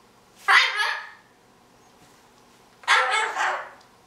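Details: Goffin's cockatoo, about 5 months old, playing and chattering in its cage set-up, gives two harsh, raspy squawks about two seconds apart, each dropping off over half a second.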